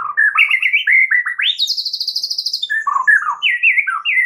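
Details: Lure song of a white-rumped shama used to trigger a response from other shamas: quick rising and falling whistled notes, then a long, rapid high trill, followed by looping, slurred whistles.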